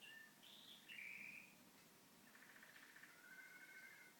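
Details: Pet canary singing indoors at home while a television plays nearby: a few quiet whistled phrases, then a buzzy rapid trill and drawn-out high notes, with a faint steady hum underneath.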